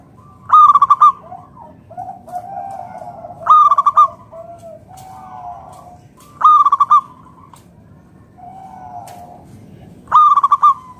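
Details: Zebra Dove of local stock singing loudly as a lure to get other doves to answer: four bursts of quick, stuttering, rhythmic coos, roughly three seconds apart, with quieter rolling coos from neighbouring doves in the gaps.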